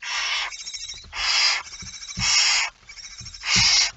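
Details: Four drawn-out rasping hisses from a barn owl at its nest during feeding, dawn of 19 September 2019, with softer breathy hissing filling the short gaps and light bumping below.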